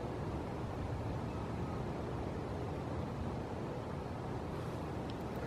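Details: Continuous broadband rumble like distant traffic or wind, steady throughout, with no animal calls.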